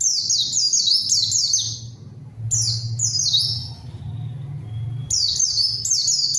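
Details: Pleci song as a lure to call a rival and start silent birds singing; near-continuous high, rapid down-slurred twitters in bursts, over a steady low hum in the background.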